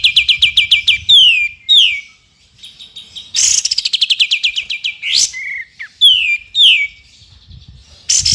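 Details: Sooty-headed bulbul singing in active besetan style, used as tutor material for other songbirds; fast repeated chirp runs alternate with loud falling whistles and harsh bursts, with one short silent pause.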